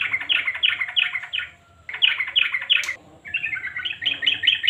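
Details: Yellow-vented bulbul in full chatter, meant to get silent birds singing: two bursts of fast scratchy chirps split by short gaps, ending in higher, twittering notes.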